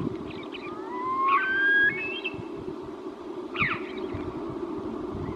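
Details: Caspian snowcock uttering long, upward-gliding whistles in overlapping pairs, then a shorter burst a few seconds later, against steady low-pitched background noise.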